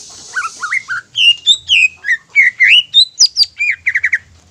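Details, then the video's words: Greater green leafbird delivering provocative song to excite other leafbirds, varied whistled slurs and sharp high notes ending in a quick trill of four short repeated notes. "PANCINGAN INI BIKIN CUCAK IJO LAIN TERPANCING EMOSI DAN GACOR"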